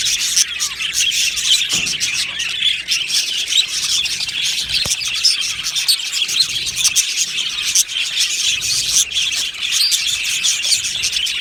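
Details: Colony of Australian budgies in an aviary keeps up a dense, lively chirping and warbling chatter, overlapping high voices throughout with occasional short clicks.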